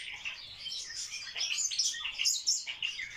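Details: Barred warbler in its mating dance, a brief burst of rough, rattling chatter packed with quick high squeaky notes.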